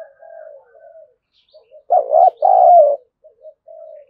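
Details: Spotted dove serving as a lure to incite wild birds to fight. Quiet, drawn-out low coos surround a loud, resonant two-part coo near the middle of the recording.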